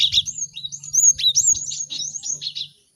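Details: Cinereous tit in a lively chorus, used to help other birds learn to sing quickly: bright high whistled notes and slurred chirps, rising and falling, in a busy run lasting nearly three seconds.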